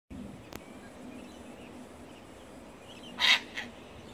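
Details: A cockatoo in a flock in a park in Parramatta near Sydney gives one short, harsh screech, followed by a fainter second note, over a steady background hiss.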